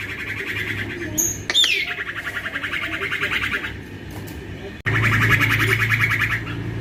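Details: Young male common iora, known locally as cipoh or sirtu, calling vigorously as a lure for other ioras: a long rapid buzzy trill, briefly broken by a sharp falling whistle, then a second steady trill after a cut, over low hum.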